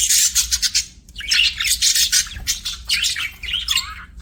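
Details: Pet budgies chirping happily in loud, rapid squawky bursts, with scratchy high chatter and short downward-swooping whistles between the bursts.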